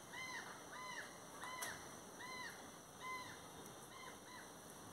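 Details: Brown jay (Psilorhinus morio) flying and calling: loud, harsh, arched 'pee-ah' calls repeated about every half second to second, over a steady high insect drone.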